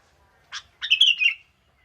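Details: Young wild sooty-headed bulbul singing steadily: a short burst near 0.5 s followed by a bright, warbled, slightly descending phrase of about half a second, loud and clear against a quiet background.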